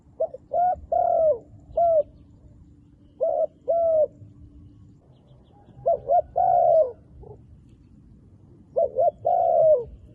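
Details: Wild dove with dark-marked plumage cooing: phrases of two short low coos then a longer coo that falls at the end, four phrases spread over ten seconds with pauses between, over a faint steady hum.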